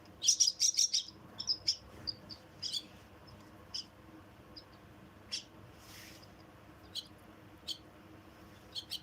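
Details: Myna chicks being fed; bursts of high, thin, squeaky chirps, loudest in a rapid cluster at the start, then scattered short squeaks every second or so against a quiet background.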